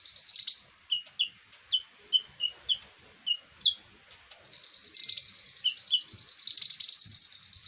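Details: Konin in a birdsong training recording: short sharp chirps repeated about every half second, then a denser burst of high notes, over a steady high buzzing hum.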